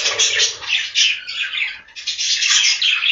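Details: Inside a budgie farm's breeding room, many budgerigars chatter at once: busy, overlapping high chirps that dip briefly before swelling again.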